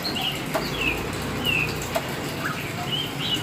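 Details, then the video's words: Oriental magpie-robin, black form, singing: scattered soft whistled notes and brief slurs broken by a few sharp clicks, with light background noise. "Burung Kacer Hitam Gacor"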